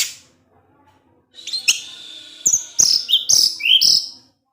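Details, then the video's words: Orange-headed thrush singing in the evening, provoking other thrushes; after a quiet start, a rapid series of high, sharp whistled notes and clicks rises into a lively phrase. "Anis Merah Teler DiSORE HARI, Kicauannya menggoda ANIS MERAH yg lain. sehingga ANIS MERAH terpancing"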